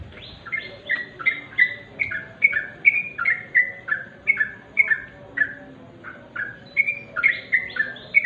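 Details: Sooty-headed bulbul repeating short two-part whistled notes, roughly two per second, in a regular, bouncy rhythm with a brief pause midway.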